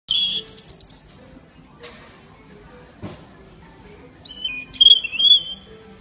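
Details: European robin singing at a garden centre: thin, high, sweet phrases, a short warbled burst at the start and a wavering whistled phrase near the end, separated by quiet gaps with faint background clatter.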